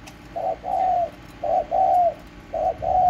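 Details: Home-kept spotted dove, 31 March 2024, giving soft low coos in pairs, each a clipped note followed by a drawn-out slightly falling one, three pairs at a steady pace.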